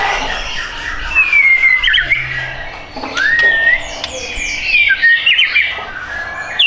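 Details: Caged white-rumped shama kept for sale gives varied song: long rising and falling whistles mixed with short sharp chips and a few rapid trills, delivered in uneven bursts over a light background hum.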